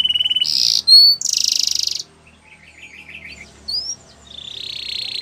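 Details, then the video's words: Training song of a canary: a steady high trill, then a loud buzzy rapid phrase, a clear whistle and another dense trill, a quieter wavering passage, a rising whistle, and a closing sustained buzzy roll. "Canary's Most Powerful Song For Training"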